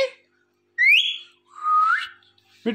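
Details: Pet Indian ringneck parakeet, talking and dancing, giving two clear rising whistles, the second lower and longer, then a brief burst of chatter.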